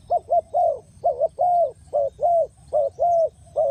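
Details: Spotted dove used as a lure for bird trapping, giving a rapid series of short, mellow, low coos, some paired and some drawn out, repeated about once a second over a faint rustling background.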